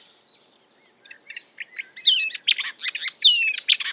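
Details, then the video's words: A marsh warbler (Acrocephalus palustris) in fast, varied song, with high whistled slurs and rising notes giving way to dense chattering bursts: a run of short phrases borrowed from other birds, possibly including African species heard in its wintering range. "A marsh warbler (Acrocephalus palustris) imitating other birds"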